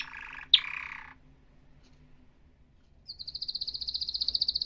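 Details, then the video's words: Atlantic canary giving a short buzzy burst, a quiet pause, then a high rapid trill of evenly repeated notes that grows louder toward the end, with a faint low hum behind. "تغريد كناري احترافي صوت يشعل الحماس عند الطيور"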